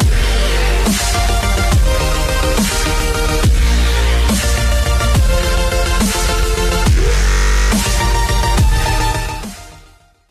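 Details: Loud electronic dance music with heavy bass and a steady driving beat throughout, with no animal sounds.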